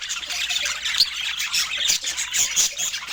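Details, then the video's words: Budgies offered fruit and healthy food produce busy, unbroken high-pitched chattering: squeaky chirps, rasping notes and thin whistles pile on top of one another with a few sharp clicks. "Budgies with Natural Sounds"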